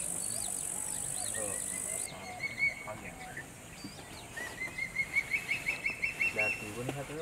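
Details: A Changeable hawk-eagle in Yala National Park, Sri Lanka, gives two drawn-out, high, thin whistles, slightly rising, each over two seconds, with a loud insect drone at the start and faint other birds.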